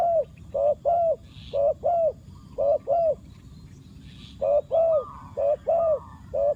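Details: Decoy spotted dove cooing to lure wild doves; low, soft coo notes arranged in doubled groups, a short pause between each group, with faint distant chirps.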